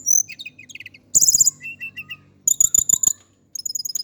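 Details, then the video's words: Javan Indigo flycatcher male giving a varied high twittering song: thin notes, a buzzy trill, a row of four lower piping notes, then quick repeated sharp chirps in bursts, with some clicking noises. "KICAU BURUNG TLEDEKAN GUNUNG JAWA/SIKATAN CACING"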